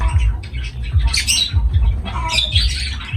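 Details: Lovebird parrots give sharp, harsh squawks and scratchy chatter in uneven bursts over a low background rumble.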